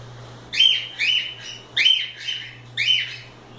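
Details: Cockatiels out of their cage, playing, repeat a rich arched whistle with strong overtones about four times in under four seconds, each note rising then dropping, against a quiet background with low hum.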